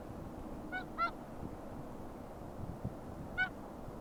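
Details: Whooper Swan at Akureyri, Iceland, on 5 April 2020, giving three brief bugling honks, two close together and one after a pause, over a steady low rumble of wind or water.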